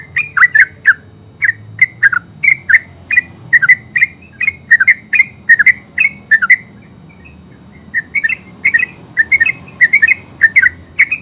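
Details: Yellow-vented bulbul, known locally as terucuk, in a full ngeropel song: rapid bubbling runs of short chirpy notes with sharp clicks, delivered in bursts with a short pause near the middle.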